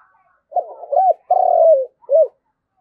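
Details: One complete flock call from a decoy spotted dove: a hesitant low opening coo, a steady drawn coo ending in a downward slide, then a short rounded coo, clear against silence.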